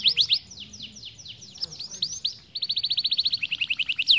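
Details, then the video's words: Canary tutor song meant to get young birds rolling fast: slurred downward whistles at first, then a rapid, even rolling trill of sharp notes running steadily to the end. "pancingan kenari muda agar cepat ngeroll"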